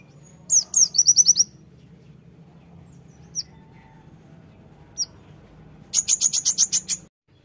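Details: Konin Sunda white-eye in the tembakan style: an opening burst of quick, high, thin notes, a few isolated chirps, then a final rapid run of buzzy repeated notes.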